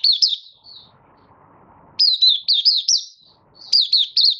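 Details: Opening song of a caged Malaysian Oriental white-eye in minor moult and building form, 24 August 2023: two bursts of lively, twisting high chirps separated by a pause filled with low mechanical-sounding hum.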